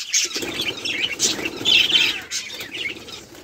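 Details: Budgerigars playing and chirping, recorded 24 July 2023: a short burst of overlapping warbling chatter from several birds, with a louder scratchy trill in the middle and fluttering wing noise.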